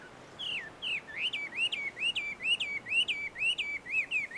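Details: Free-living Chinese hwamei at a Tenmangu shrine grove in Joso, Ibaraki, Japan delivers a steady series of about a dozen downslurred, hooked whistles, roughly three per second, each rich and ringing.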